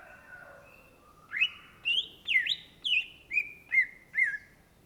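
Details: Cucak Ijo, or greater green leafbird, gives a series of about seven loud whistled notes, each opening with a click, rising then falling, repeated roughly every half second.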